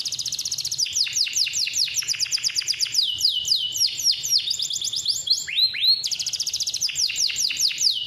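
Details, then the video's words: Captive male canary from an Indonesian bird farm singing a long, persistent roll, used as a master recording to teach young canaries and prompt lazy singers; rapid repeated descending sweeps in fast trills, shifting phrase types, with a low background hum. "KENARI GACOR NGEROLL PANJANG"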